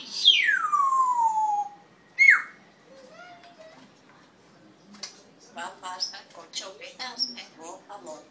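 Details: Red-tailed African grey parrot opening with a long loud whistle sliding steeply downward, then a short hooked whistle, followed by softer chattering, warbled notes.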